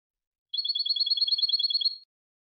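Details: Goldfinch song: one rapid, even trill of bright, high double-toned notes lasting about one and a half seconds, with silence before and after and no other sounds.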